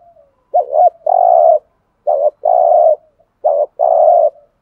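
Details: Spotted dove giving a decoy 'thúc gù' cooing call used to provoke other doves: three pairs of low, hoarse coos, each a short note and then a longer, steady drawn-out coo, repeated roughly every one and a half seconds in a quiet setting.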